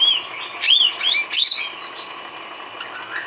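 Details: Murai batu (white-rumped shama) filler song for cage-bird training: a short burst of high, sharp chirps and twisting whistled notes in the first second and a half, then near quiet with faint hiss.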